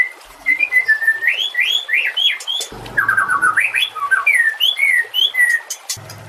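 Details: Master recording of white-rumped shama song, used to train songbirds such as cendet and jalak: a flowing run of warbled, rising and falling whistles, with a faint low rumble in the middle.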